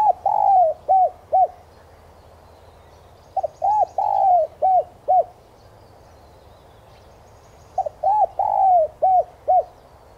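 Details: Spotted dove cooing on a lure recording meant to stir caged doves into calling: three phrases in ten seconds, each a soft stuttered note pair, a longer drawn-out coo, then two short separate coos, with quiet background.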